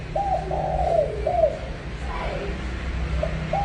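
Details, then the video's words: Spotted dove in the pha kim song style giving a soft coo phrase of short and drawn notes, then fainter coos near the end over a low continuous hum. "Tiếng chim cu gáy giọng pha kim"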